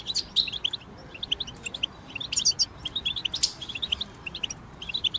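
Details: European goldfinches singing in a group to encourage moulting goldfinches; rapid high chirps and tinkling twitters in quick runs, with a couple of louder buzzy flourishes.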